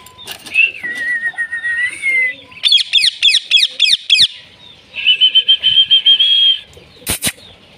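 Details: A talking Indian ringneck (rose-ringed parakeet) greeting a new baby ringneck gives a wavering whistle, about seven quick, sharp downslurred notes and a long, high, trilled tone; a brief clatter at the end.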